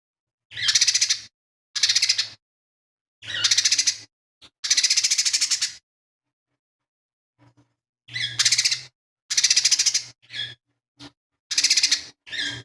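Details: Lesser green leafbird, a chatty kept songbird whose song is full of mimicked phrases such as fighting sparrow, tengkek buto and cililin, offered as a master for training other songbirds; harsh, buzzy bursts of up to a second, separated by short silences, eleven phrases.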